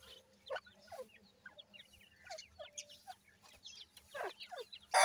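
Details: Young grey francolin chicks kept for raising, calling together: a steady scatter of high, thin downward-slurred peeps, some louder bursts near the end, with a faint low hum behind.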